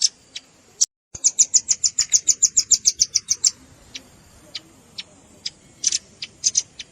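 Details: Velvet-fronted nuthatch lure sound combined with juvenile calls: a few isolated high chips, a brief gap, then a quick even trill of about fifteen sharp notes, followed by spaced single and paired chips.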